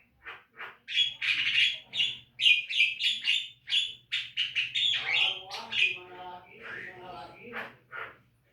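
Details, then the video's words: Rapid chattering song of a Javan myna, recorded as training material for caged birds: a fast, irregular string of harsh chips and squawks, several per second, ending in buzzy rasping notes over a steady low hum. "Masteran jalak kebo agar rajin bunyi"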